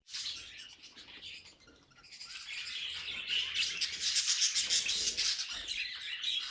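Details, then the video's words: Pet budgie chattering in a fast, scratchy, high warble that grows louder and busier midway, with rapid pulsed notes toward the end. "Funniest Budgie Sounds"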